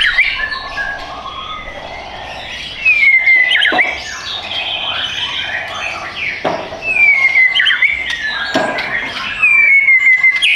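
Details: White-rumped shama caged at a bird shop in Tangerang Selatan, Indonesia, repeating long, falling whistled phrases, each ending in a sharp click, amid softer warbling.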